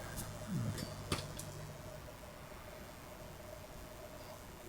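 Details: Quiet indoor room tone with a brief murmur of speech, a single knock and a faint fan hum; no animal calls.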